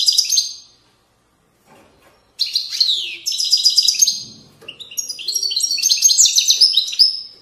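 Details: European goldfinch, Moroccan widani-style song recorded in 2020 along valley banks: a short twittering phrase, a silent gap, then sustained lively high twitters, metallic trills and rapid repeated notes building toward the close.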